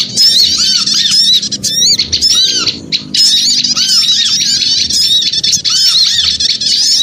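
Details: Small birds clamouring in a lure recording, dense high chirping and squawking in bursts, with a short lull near three seconds before the chatter resumes, arched lower notes repeating.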